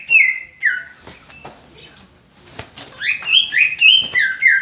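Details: Greater green leafbird imitating the "Om Telolet Om" bus horn: two loud whistled notes, a quiet pause with faint clicks, then a lively run of rising and falling whistled notes.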